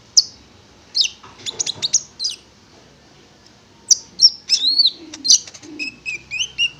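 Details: Prinia song from a konin lure recording: scattered high chirps, a silent stretch, then slurred whistles and repeated downward-sweeping notes near the end, with faint lower sounds underneath.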